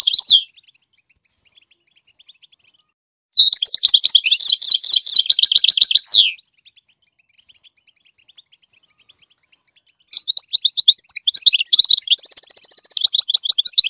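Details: Goldfinch singing so its chicks learn the song: a short twitter, a silent gap, a three-second burst of rapid buzzy trilled notes, another pause, then a long run of varied liquid twitters and a steady buzzy trill.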